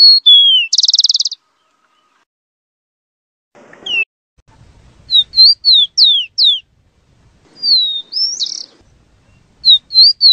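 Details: Rufous-collared sparrow song: two falling whistles and a fast high trill, then a run of sharp, descending slurred notes and a buzzy phrase. Faint low rustling is heard between phrases.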